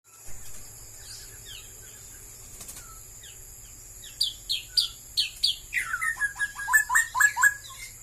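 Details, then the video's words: Straw-headed bulbul, a bird becoming scarce in Malaysia: quiet faint notes at first, then from about four seconds a fast, bubbling run of loud warbled and slurred notes, some high and some lower, with a steady high electronic whine behind. "kicauan suara burung barau barau"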